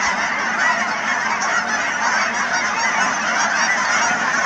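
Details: Canada geese in their thousands on wetlands near Chilliwack, British Columbia, a continuous overlapping din of honking with no single bird standing out from the mass.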